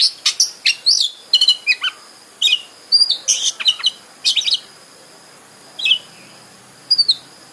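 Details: Kacer, the Oriental magpie-robin, in song played to provoke another bird into singing and opening its tail; quick high chirps and rattling notes in clusters, thinning to sparse single whistles toward the end, steady background hiss.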